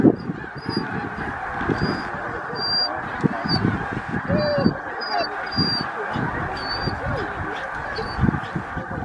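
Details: Large flock of snow geese at Middle Creek Wildlife Management Area, Stevens, Pennsylvania, USA, on 26 February 2023; continuous dense honking and yelping from many birds with high nasal notes over a steady roar of the flock.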